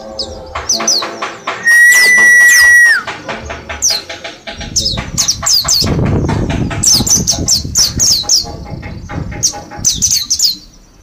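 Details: Group of caged mountain white-eyes from Mount Slamet, ten days into learning ngalas, the wild forest-style song: quick sharp descending chirps repeated high up, with a long steady flat whistle near two seconds and some rustling noise.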